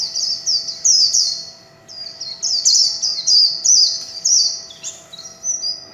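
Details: Caged warbling white-eye singing the líu chòe song style with no background noise: long runs of high, rapid, sweeping whistled and warbled phrases, bursts lasting about a second separated by short pauses, with a faint steady hum underneath.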